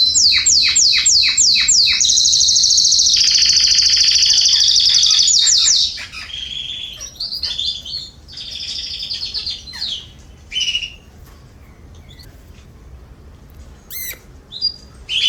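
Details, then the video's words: Canaries in a garden, September 2020, singing; a run of rapid repeated downslurred notes, then a long piercing high trill, followed by scattered quieter chirps, brief rattles and whistled phrases over faint background hum. "Canaries singing in my garden"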